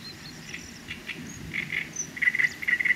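Great reed warbler song: harsh, grating notes repeated in quick pairs, growing louder, with faint high chirps in the background.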